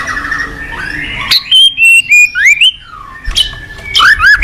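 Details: White-rumped shama master song used to train other shamas: a series of clear rising and falling whistles, some slurred upward, with a softer noisy lead-in.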